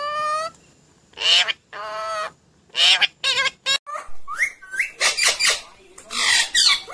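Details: Talking parrot, said to say mummy and papa; loud buzzy harmonic calls and harsh broadband squawks, followed by quicker rising notes and rough chatter.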